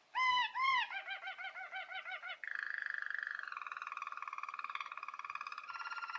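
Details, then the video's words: Training song of a Belgian roller canary for young birds, starting with two loud, hollow, gurgling notes, then a fast rhythmic series of rounded pulses, flowing into a long, soft, continuous low roll that shifts pitch slightly. "Canário belga Roller cantando para ensinar filhotes"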